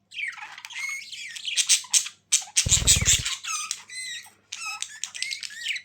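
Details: Several budgerigars chattering in a busy stream of warbled, squeaky notes that sweep up and down, with brief pauses and a short low rustling burst near the middle.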